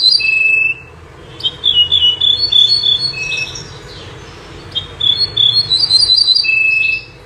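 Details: Common nightingale, described as singing day and night: a sustained whistle opens, followed by quick bubbling high phrases and repeated ringing notes, a pause, then another rapid high run closing on a long even whistle, over faint low hum.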